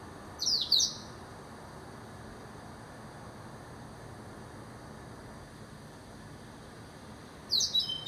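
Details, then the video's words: Blackthroat singing: two short bursts of high, thin, sharply slurred twittering notes, one near the start and one at the end, with a quiet gap of faint background hiss between. "Blackthroat Singing"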